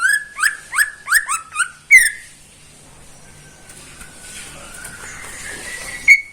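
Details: Greater green leafbird in a cage, morning song: a rapid burst of five clear whistled notes, each rising sharply then falling, then a louder slurred whistle, then quiet with faint thin whistles and a soft hiss.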